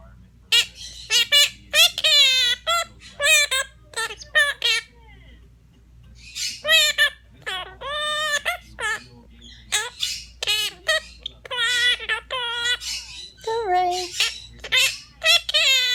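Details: Female pet Quaker parrot taking turns singing with her owner: a run of short, bright harmonic syllables in quick bursts, some rising and falling, with pauses and a human voice mixed in during a nursery-song duet.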